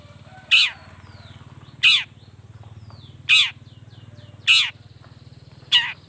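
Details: Long-tailed shrike giving loud, harsh, downslurred notes roughly every 1.3 seconds to provoke other shrikes. Faint soft whistles sit between them over a steady low hum.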